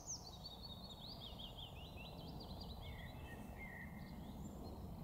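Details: Willow warbler singing at Thursley Common on 10 June 2018: a soft, sweet phrase of high notes sliding gently down the scale over about two seconds, over a steady low rumble of wind or distant traffic.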